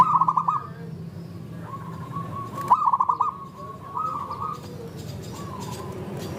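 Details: Local zebra dove cooing to prompt other doves to sing: soft rolling trilled coos in short phrases, a few repeated across the recording, over a steady low hum of background noise.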